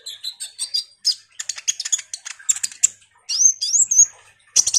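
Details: Common iora singing in the vigorous chattering style, used as a lure to draw a response from sunbirds: quick high twittering notes, then clear rising whistled slurs near the end.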